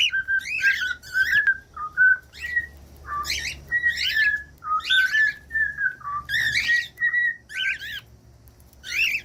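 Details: Cockatiel whistling a long song: repeated short whistled notes and slurs interspersed with rough, buzzy chirps, continuing steadily over a faint low background hum.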